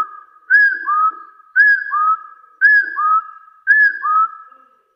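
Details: Four evenly spaced whistled phrases from a hill partridge calling out rivals, each a short arched note sliding into a longer, lower, slowly rising tone.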